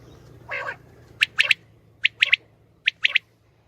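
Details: Female common quail calling, recorded as a hunting lure. One rough, low burst comes first, then clipped, high, squeaky notes in doublets and triplets, about one group a second.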